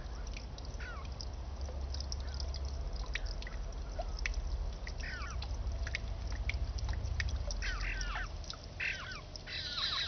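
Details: Eastern bluebirds on a peaceful morning give soft, slurred, warbling notes in scattered bursts, over a steady low rumble of wind or distant traffic, with a few other chirps mixed in.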